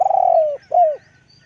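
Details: Spotted dove coo phrase: a long pulsed note sliding down in pitch, then after a short pause a second smooth downcurved coo, with quiet low hum behind.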